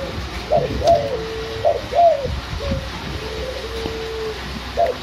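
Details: Young tame white backspot spotted dove kept in Semarang, Indonesia, six months old, eager caller noted as kuk 1 nyandung 2; quick series of short arched coos, paired notes repeating about once a second, with a faint drawn tone between them.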